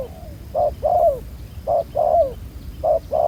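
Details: Spotted dove, freshly trapped wild bird with a black neck collar and decent cooing: repeated hollow coo pairs, clipped first note and longer sliding second note, about one pair per second, low hum beneath.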